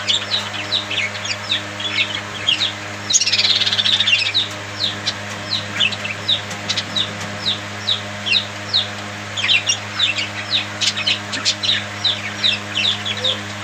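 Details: Budgies chirping together in a group: many short high chirps and warbles overlapping in a busy chatter, over a steady low electrical hum.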